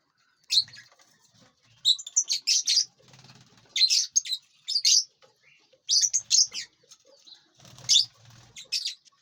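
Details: Lovebirds in a large aviary, feeding and flying; rapid runs of shrill, high-pitched chirps come in bursts about every one to two seconds, with light rustling underneath.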